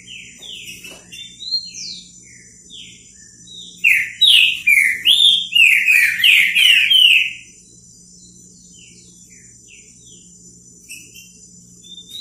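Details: Green-winged saltator singing in the repetidor bico fogo style: a few soft whistled notes, then a loud burst of rapid, slurred, descending whistles for about three seconds before fading to near silence, with a faint low hum beneath.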